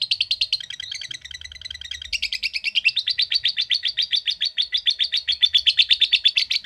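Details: Long ngekek chatter from a lovebird, the typing-like ngetik style. It opens as a dense, buzzy jumble, then settles after two seconds into crisp, rapid, regular ticking notes that continue to the end.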